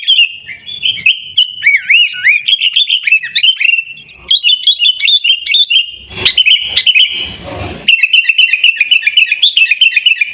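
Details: Song of a sooty-headed bulbul, 'Gaya Garuda' style, from Pidie in Aceh, Indonesia: rapid warbled phrases with swooping whistles, interrupted around the middle by a burst of broadband noise before quick chirping resumes.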